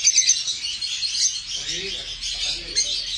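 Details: Lovebirds giving shrill, high chirps and squeaky twitters in a dense stream, with a brief low murmur in the middle.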